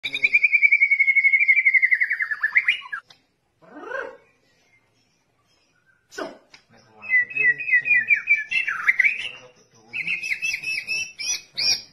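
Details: White-rumped shama song used as a model for training other songbirds: a long, slightly falling whistled trill, a brief rising sweep and a sharp click. Varied warbling trills and high twittering notes follow.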